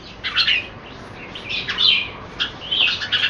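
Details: Caged red-whiskered bulbul kept for song in display; short bright whistled phrases rising and falling, given in bursts about every second, over a steady hiss of background noise.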